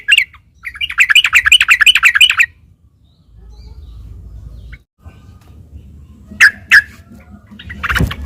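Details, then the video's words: Sooty-headed bulbul fighting song meant to draw replies: a loud two-second burst of rapid, bright chattering, then near silence with a low hum, a few sharp clicks and taps near the end. "trucuk gacor taruNG buat pancingan trucukan agar bunyi JADIKAN burung trucuk gacor EMOSI nyaut ropel"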